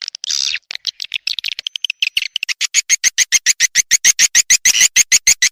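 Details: SP Raja Kalimantan swiftlet lure call from Borneo, played to attract swiftlets: a brief rasping note and uneven chirps give way to a very regular series of crisp chirps, about three or four each second.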